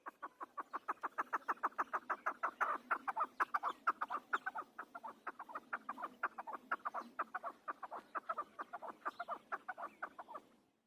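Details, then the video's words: Chukar partridge, the Afghani hunter chakor, calling in a long, steady series of repeated, throaty chuck notes, roughly two to three per second, for about ten seconds before stopping abruptly. "Afghani chakor voice | Hunter Afghani chakor sound | chakor ki awaz | chakor bird sound"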